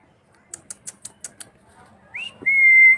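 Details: Six quick high ticks, evenly spaced, lead into a parrot's upward-slurred whistle and then a long steady whistled note.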